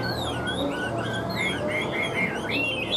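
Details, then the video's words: Hwamei kept as a cage bird, praised for excellent singing and fighting: softer series of slurred whistles and short rising notes, somewhat faint against a steady background hum. "Họa mi vip đuôi lá vả cứng, hót cực tốt đấu tốt"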